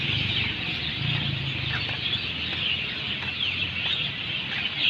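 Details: Many birds chirp at once on a walk in Singapore, forming a dense, high, hissing chorus of overlapping short notes, over a faint low rumble.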